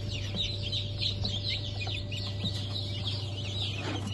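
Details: Freshly hatched chicks of Brahma and Wyandotte breeds, 04.08.2024 hatch, keep up a dense chorus of piercing, short, falling peeps with no pause, a constant low electrical hum beneath.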